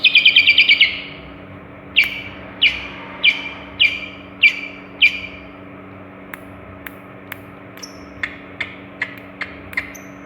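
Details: Long-tailed shrike, a mimic of many bird voices, opens with a brief rapid trill, then spaced downslurred chirps about every half second, fading into faint sharp clicks and ticks.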